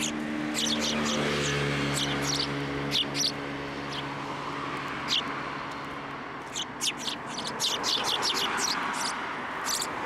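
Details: Sparrows being hand-fed at a Tenmangu shrine, Japan, 16 December 2023; repeated short high chirps, sparse at first and then busier twittering, over a low steady hum and background rumble.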